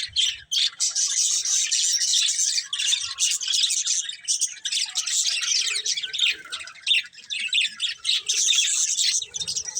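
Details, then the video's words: Budgerigar breeding pair giving a steady stream of busy, high-pitched chirps and squeaky warbling, overlapping notes with hardly a break throughout. "Cute Colourful Budgies Chirping Sounds"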